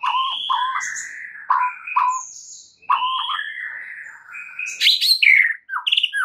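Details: Loud, varied white-rumped shama song from a training recording meant for stressed birds: rich mid-pitched whistled phrases repeated with short pauses, mixed with sharp high chips and a fast twittering flourish near the end.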